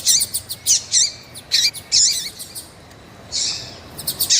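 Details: Female variable seedeater in heat, calling insistently: high chirps and buzzy notes with downward-curling squeaks in short bursts, a pause, then a hissing note and more quick chirps.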